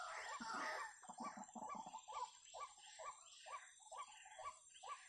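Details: Ruak-ruak, the white-breasted waterhen, calling near snares: after a loud burst at the start, a steady series of short, croaking notes follows, roughly two per second and gradually softer, with a faint high hiss throughout.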